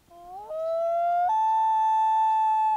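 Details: A Common Loon gives its wail, a long-distance call believed to be a contact call between mates or to find chicks: a pure, haunting wail climbing in two steps from a low note to a long, steady higher tone over a quiet background.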